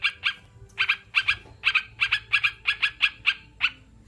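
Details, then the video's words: Sooty-headed bulbul song for calming and stimulating caged birds: about a dozen short, bright paired notes spaced a fraction of a second apart, faint hum below. "Terapi burung crucukan biar cepat bunyi"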